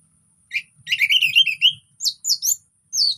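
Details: Relaxed orange-headed thrush song, played to coax non-singing thrushes into song: a quick run of rising chirped notes followed by sharp descending high whistles separated by short gaps.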